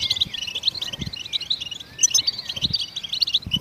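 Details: Goldfinch song meant to prompt other songbirds to sing: rapid high twittering with quick upslurred and downslurred notes and liquid trills running without pause; faint low knocks underneath.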